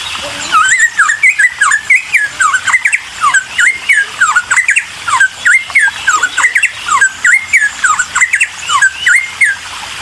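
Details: Excited cucak timor song intended to make other birds respond: a long, fast run of sharp whistled notes, dipping and rising in V-shapes, delivered in dense bursts for ten seconds without a break.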